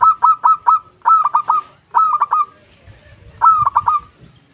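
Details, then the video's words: A vocal local zebra dove calling its fellows, giving three short phrases of four or five crisp, clipped coos each, the first note of every phrase slightly higher and longer, with pauses between phrases and faint low rumble. "Suara burung Perkutut Lokal Gacor memanggil kawan"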